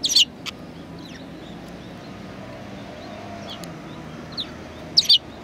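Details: Sparrows recorded at Tenmangu shrine on 23 January 2019; two sharp high chirps open and close the stretch, with faint distant tweets in between and a low steady background hum.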